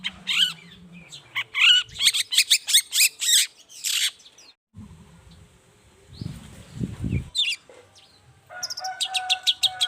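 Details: Long-tailed shrike in lively morning song, used as a lure to make quiet shrikes answer: harsh buzzy rasps in quick bursts and slurred whistles, a low rumbling noise midway, then a rapid run of scratchy notes.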